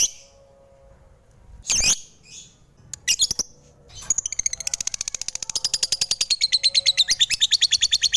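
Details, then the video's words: Lovebird giving sweet high chirps: a few scattered sharp notes, then a fast, steady run of bright, buzzy chirps repeated several times a second until the end. "Suara Merdu Burung lovebird"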